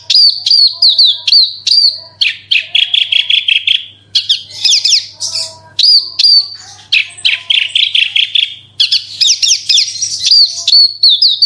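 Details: Kept Horsfield's bush lark in loud 'gacor super roll tembak' song used to lure other birds into singing: continuous high whistled notes, buzzy trills and swooping phrases, barely pausing, over a faint hum.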